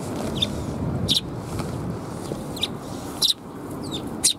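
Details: Sparrows arriving to be fed at a Tenmangu shrine on 10 April 2021: short sharp high chirps, single and in quick pairs, spaced irregularly over several seconds above a steady low rumble of traffic-like background noise.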